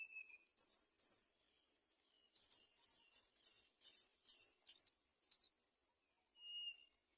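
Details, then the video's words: Great myna feeding young on the nest: a brief low whistle, then a quick series of loud, harsh, high-pitched chirps in rapid bursts, fading to a final soft whistle. "Great myna bird Feeds ducklings on the nest"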